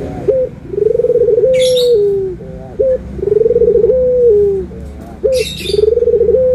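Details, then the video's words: Anggungan coo of a puter dove, in a comparison of white and brown Barbary doves: a short hiccup note, then a vibrating coo that levels into a smooth tone and drops, repeated three times, with brief high wing flutters between phrases. "PERBEDAAN SUARA ANGGUNGAN BURUNG PUTER PUTIH DENGAN PUTER COKLAT"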